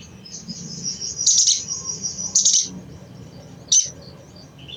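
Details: Sogon, the crimson sunbird, chattering to provoke other birds into song: two harsh, high, crackling bursts in quick succession, then a brief sharp chip, with faint thin twittering running underneath.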